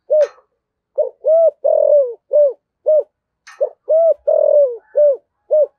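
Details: Spotted dove with a 'giọng thổ' deep voice giving 'thúc gù' cooing: two matching phrases, each opened by a click, then short hollow coos around a longer rolling falling coo.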